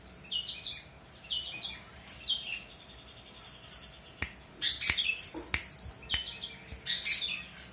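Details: Long-tailed shrike singing actively, meant for teaching other birds to sing: high chattering phrases with short whistles and a buzzy trill, then louder sharp notes broken by crisp clicks.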